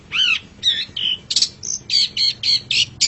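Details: Long-tailed shrike song used as a master recording for training pet songbirds: a rapid series of varied harsh, squawky and whistled notes, some with sweeping pitch, roughly eight bursts in three seconds, with no other clear sounds.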